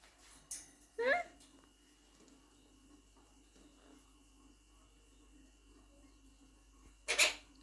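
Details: A male pet monk (Quaker) parakeet gives one brief, wavering, voice-like phrase near the start. A long quiet stretch with a faint steady hum follows, then a sharp noisy burst at the end.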